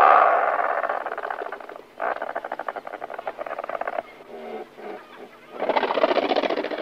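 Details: Several Razorbills calling near their nests just before take-off: harsh, buzzy rattling growls built from rapid pulses, in bursts of about two seconds with short gaps between them.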